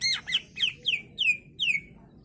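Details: Greater green leafbird in full, varied song, played as a lure to make other leafbirds answer and sing: six loud, clear whistled notes, each sliding downward, spaced about a third of a second apart.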